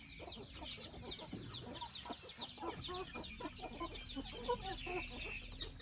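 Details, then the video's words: Chickens in a chicken family house: dense, overlapping high peeps falling in pitch, mixed with lower short clucks throughout, over a steady background murmur. "Chicken sound"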